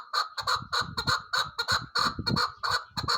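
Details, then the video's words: Rapid staccato chuk-chuk calls from a female chukar partridge, loud clipped notes fired in quick uneven bursts, almost three per second, with a gobbling, chattering quality. "keklik sesi chakor birds shikari chakor awaz sound voice"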